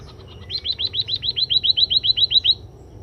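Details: Scaly-breasted munia after being sunned: a quick run of about fifteen short, high, arched chirps, roughly four per second, following a few softer opening notes over a low steady hum.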